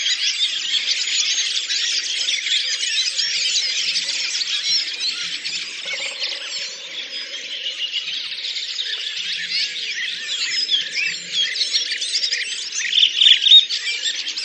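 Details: Collective song of a Redwing flock, Oka Nature Reserve, Russia, April 2019: many birds chattering and twittering together in a steady high-pitched babble, growing a little louder and sharper near the end.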